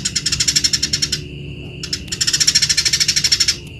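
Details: Eurasian tree sparrow singing, offered as a tutor recording for training other birds: rapid buzzy chattering bursts of about a dozen notes per second, a pause with a steady thin tone, then another long chattering run.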